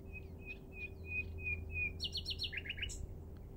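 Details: A common nightingale at Minster marshes, Thanet, recorded on 5 May 2014, sings a row of six clear, even whistles, then a quick tumbling run of high notes, over a low steady hum.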